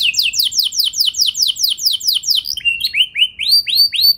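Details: Canary song used as a lure to make other canaries sing and roll, with fast repeated downward-sweeping high notes about five per second for two and a half seconds, then slower rising upslurred whistles.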